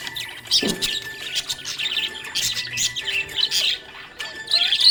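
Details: Happy budgie chirping in quick, scratchy bursts of warbling and tweets, with a sharper squeaky flourish at the end, set against quiet background music.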